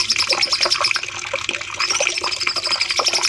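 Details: Long-phrased cucak cungkok bulbul song used to train caged birds: quick strings of bright high notes repeat rapidly, pause, then return as a level trill amid steady layered twittering and hiss.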